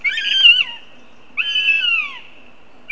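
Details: Northern goshawk hawklets, siblings (one male, two females), meeting at a nest in Riga, Latvia, in early July: loud, harsh, strained wailing calls with downward-bending ends, two long cries and the start of a third.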